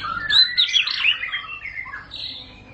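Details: White-rumped shama singing a short burst of bright, overlapping whistled notes that sweep between mid and high pitch and fade out toward the end.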